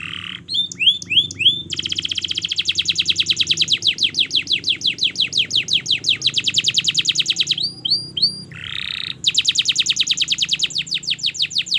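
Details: Canary song used as a master recording for training young canaries to sing: loud, fast trills of repeated high sweeping notes, a few rising chirps, then long rapid rolls broken by short pauses, in a quiet room.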